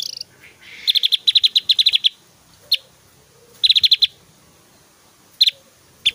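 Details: Loud, varied song of an actively singing Javan grey-throated white-eye: a long fast series of sharp high ticking notes, then isolated single notes and a short cluster, with quiet pauses between.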